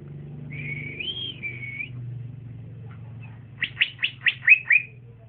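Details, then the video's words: Young male green leafbird with trotolan-style song, bold when set beside another: one smooth arched whistle, then six loud, evenly spaced, down-slurred chirps over a low background hum. "c ijo trotolan jantan masih muda udah bunyi mantap di gandeng berani"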